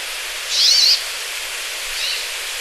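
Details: Brambling call: a single buzzy, nasal note that rises then falls, lasting under half a second, over steady background hiss.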